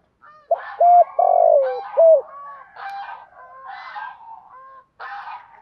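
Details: A spotted dove used as a decoy bird gives a morning calling series of low, hollow coos, the middle note drawn out, while other birds chatter and whistle higher in the background.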